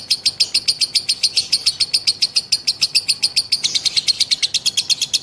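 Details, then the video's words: Long ngekek chatter from a female lovebird, a continuous rapid stream of high, clicking, rattled notes about six or seven per second, keeping a steady tempo throughout. "lovebird betina ngekek panjang"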